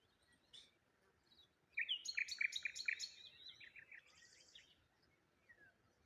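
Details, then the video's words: Morning birdsong beside water near a lone tree: a short chirp, then a loud burst of rapid, ringing repeated notes for about two seconds, a buzzy trill after it, then faint calls over quiet ambient hiss. "Morning Birds Sounds"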